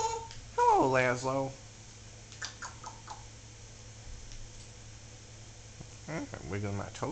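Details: Talking Solomon Island Eclectus parrot kept indoors utters a loud, rich, wavering voice-like sound for about a second. Quiet clicks follow, then a second harmonic, speech-like phrase near the end over a steady low room hum.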